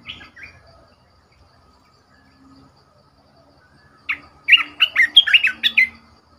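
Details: Caged decoy Red-whiskered bulbul giving two soft notes, a long silence, then a rapid, bright phrase of about eight looping whistled notes.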